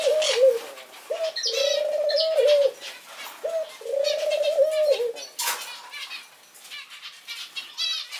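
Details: A male Barbary dove (Streptopelia risoria), newly adopted as a pet, gives soft, drawn-out coos with a rolling, laugh-like quality, repeated in short bursts; finding: Barbary dove.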